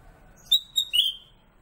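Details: A single song phrase from a kept black-capped bulbul (kutilang emas), a master bird for magpie-robins. It holds a bright high whistle, then a short repeat, then a lower slurred note that fades out.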